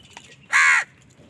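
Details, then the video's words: A single loud, hoarse caw about a third of a second long from a crow fighting other birds for food, with faint bird calls around it. "Wild birds fight with crows for food | Crow bird unity anger and sund | Angry kawa ki awaaz"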